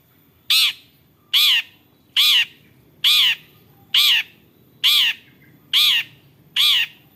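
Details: Long-tailed shrike (cendet), a bird said to imitate many other birds' voices, giving eight loud, harsh, buzzy calls with a ringing tone, evenly repeated about once per second over a quiet background.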